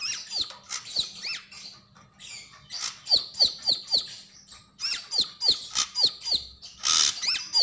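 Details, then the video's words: Javan grey-throated white-eye, called sogon or sogok ontong, in vigorous 'gacor' song: loud high whistled notes that slide sharply downward, repeated in quick series of three to five, with brief harsh rasps between. "Sogon sogok ontong gacor dan ngobra"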